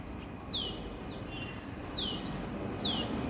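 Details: Female Asian koel in the morning giving short, sharp notes that slide downward, about five in a few seconds and unevenly spaced, over a steady background hiss.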